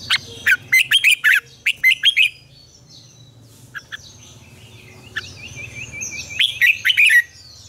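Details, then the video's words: Red-whiskered bulbul morning song in the mature wild double-note style, used as a lure for training: a long string of sharp, rhythmic warbled notes, a quiet gap with a thin whistle, then another bright phrase. "luyện chào mào hót sáng, Ép chào mào hót âm kép già rừng hay tuyệt!"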